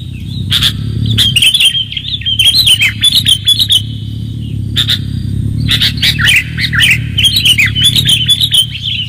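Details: Sooty-headed bulbul lure recording, clear-voiced: bursts of bubbly, warbled chirping notes in quick runs, pausing briefly between phrases, over a steady low humming rumble in the background.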